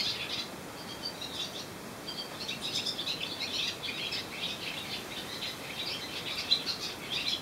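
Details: Swallows perched together on a wire on the island of Susak, singing: continuous busy twittering and chirping in a high register, dense overlapping phrases throughout, with a faint steady background hum.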